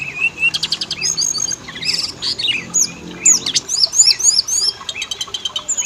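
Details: Lure song of the Oriental magpie-robin, used to make males and females sing: a dense stream of sharp chirps, clicky rattles and swooping whistles repeating several times per second.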